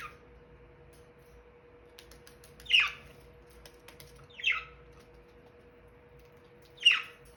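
A budgerigar gives three sharp, scratchy chirps that drop quickly in pitch, spaced a couple of seconds apart.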